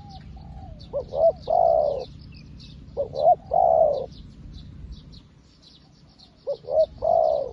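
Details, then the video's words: A spotted dove works as a fresh decoy luring wild doves and already sounds like an old hand. Three loud, similar phrases each have two clipped notes and then a long, throaty, rolling coo, about two seconds apart, with small-bird chirps high above. "លលកថ្មីមែន តែធ្វើហៅព្រៃដូចធ្នាក់ចាស់"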